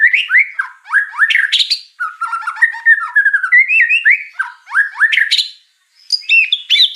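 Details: White-rumped shama song full of mimicked fill-ins: rising whistled swoops, a stretch of rapid scratchy chatter, more looping slurs and bright high notes after a short pause.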